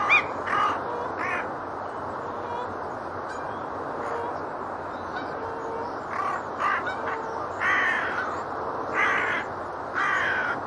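Gulls give harsh, squawking calls in irregular bursts every second or two, mixed with honking geese over a steady background rumble.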